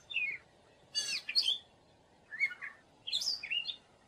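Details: Singing gray catbird delivering a jumbled series of brief squeaky notes and harsh bursts, grouped in clusters separated by short silences, fairly close and clear.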